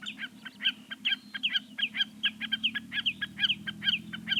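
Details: Common snipe giving a fast, insistent chipping series, sharp clipped notes repeated about twice a second throughout, with a low droning hum beneath.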